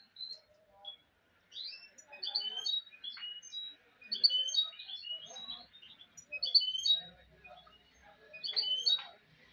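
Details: Goldfinch mule singing a rapid twittering song of high chirps, trills and short whistled notes in bursts separated by brief pauses, in a quiet setting.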